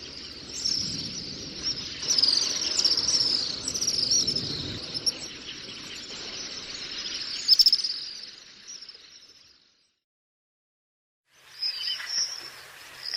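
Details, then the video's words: Common swifts screaming: shrill, drawn-out, trilled high calls run almost continuously for about nine seconds over a low rumbling background, then silence, then another short scream. "Стриж. Обыкновенные стрижи. Голоса птиц"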